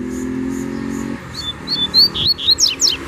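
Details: Double-collared seedeater in the bush: after a second of low droning, high clear whistled notes ring out in quick succession, rising in pitch, then ending in rapid sharp downward-sweeping chips. A faint background hum is present.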